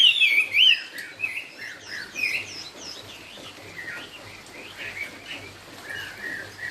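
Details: Chinese hwamei singing in the 'cao cầu' style opens with a loud, fast warbled trill, then continues with softer, evenly spaced slurred whistles.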